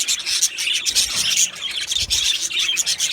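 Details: Short burst of colony budgie chatter from an aviary: thick, rasping high chirps and squeaky notes layered over one another without a pause.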